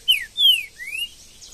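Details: Wild green-winged saltator in Brazilian scrub giving three clear whistled notes: a short downslur, a long descending whistle, then a softer rising-and-falling note.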